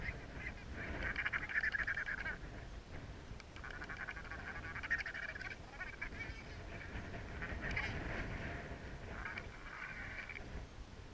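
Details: Courtship love dance display of Tristan albatrosses on Gough Island, three birds in a love triangle; several bouts of harsh, rattling, goose-like calls, each a second or two long, separated by short pauses, with constant wind noise beneath.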